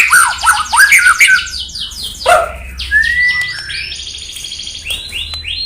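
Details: Murai batu (white-rumped shama) singing to provoke rival birds, with lower warbled phrases, a rising whistled slur and scattered high sweeping notes over faint background hum.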